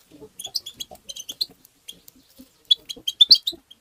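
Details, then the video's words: Short burst of European goldfinch 'tabta' twittering, aimed at stimulating goldfinches: rapid high jingling notes, with soft low chuckling sounds underneath and a loud run near the end. "تغريد الحسون بتبتة مجنونة"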